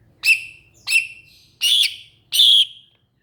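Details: Cucak ijo (greater green leafbird) uttering four loud harsh notes about every seven tenths of a second, the first two short and sharp, the last two longer buzzy squawks; low hum in the background.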